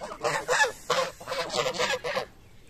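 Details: Geese honking while feeding in the morning: a run of harsh, nasal honks, about six bursts in quick succession, each broad and brassy, overlapping one another before fading out.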